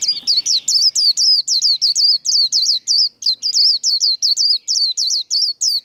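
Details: White-eye pouring out continuous líu contest song for six seconds: a steady stream of rapid, high, whistled notes, each dipping and rising like a small hook, with no pause.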